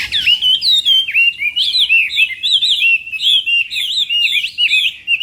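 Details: Chinese hwamei practicing its contest song in the morning, a clean, loud stream of looping whistles, each phrase rising then falling, steady and unbroken.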